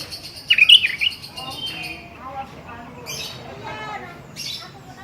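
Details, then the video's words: Calls of a sooty-headed bulbul challenging a rival, a plain recording for luring young birds: a loud cluster of sharp whistled notes in the first second, then fainter chirps and rustling noises. "SUARA KUTILANG GACOR MEMANGGIL LAWAN"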